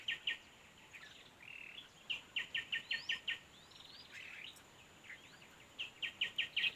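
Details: Red-whiskered bulbul at a fighting competition: bright chirping notes in quick runs of four to six, with short buzzy and slurred phrases between them, over a faint hiss.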